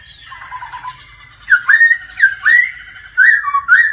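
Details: Laughingthrush practising its song daily together with a female: a soft low warble gives way to loud, sharp whistled notes that jump upward, repeated in quick groups with short gaps.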